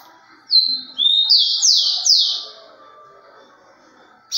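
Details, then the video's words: Curico-style song of a rufous-collared sparrow: a thin whistle, then a lower one, then three loud, quick descending slurred whistles in a row, followed by quiet and the start of another phrase. "Tico-tico Curico"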